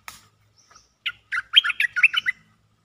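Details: A cream-vented bulbul gives a lively mate-calling phrase of about six mid-high warbled notes in just over a second, after a faint click.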